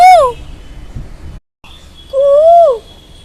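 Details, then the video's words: Pet Asian koel calling a drawn-out 'kuuu', a strong arching whistle that rises then falls, heard twice with a short silent gap and faint low hum beneath. "kuuuuuuu Ladaku Koyal"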